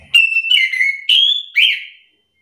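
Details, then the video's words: Orange-headed thrush singing in a back-and-forth exchange meant to provoke other birds into replying: four connected clear whistled notes, steady and gently dropping, then a higher slurred note trailing off. "anis kembang malas bunyi langsung emosi ikut bunyi sahut sahutan"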